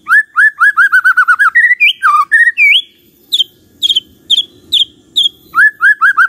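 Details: Rapid repeated down-slurred whistles from a white-rumped shama, followed by rising and falling phrases, a pause, several sharp high notes, and a return to the quick slurred series.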